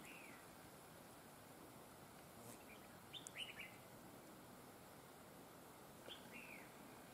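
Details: Red-whiskered bulbul recorded during trapping with a decoy bird, said to have a very fine voice with linked double phrases; three short, slurred whistled phrases, well spaced over several seconds, against steady background hiss.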